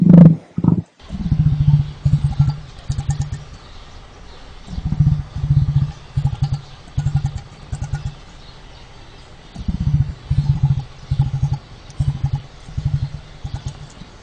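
An emu gives deep, throbbing drumming pulses, rapid and very low, in three bouts of about three to four seconds each, separated by short pauses.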